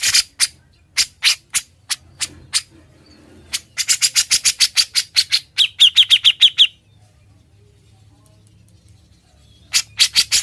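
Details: Grey-cheeked bulbul, locally cucak jenggot, in a gacor, ngebren master recording: spaced harsh chatter notes quickening into a long rattling volley, then six quick downslurred whistles, a pause, and renewed rasping.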